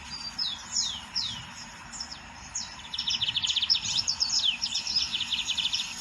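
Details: Lined seedeater in nature: several separate high slurred whistles sweep downward, then the bird breaks into a long quick trill of repeated buzzy notes with mixed chirps over low background noise.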